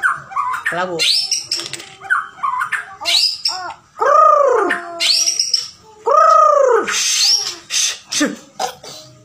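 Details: White-rumped shama of the Bahorok type giving a loud, varied song: rapid mixed whistles, high chips and buzzy notes, with two prominent rich arched phrases near the middle, delivered almost without pause.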